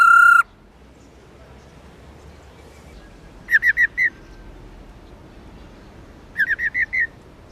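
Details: Female black-throated laughingthrush (Garrulax chinensis lugens) giving the 'ro ro' call used to excite males: a loud harmonic note opens, then two bursts of five quick, clipped notes, each burst over in under a second.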